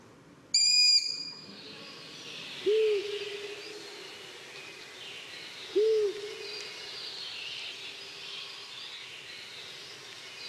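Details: An owl in Poland, at night, gives two low, short hoots about three seconds apart, each swelling then trailing off, after a sharp, high call at the start, over steady background hiss.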